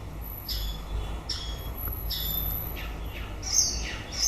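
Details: End-of-breeding-season song of a white-rumped shama: a few sharp, high notes that drop quickly, spaced under a second apart, ending in a busier burst of higher twittering, with low background rumble.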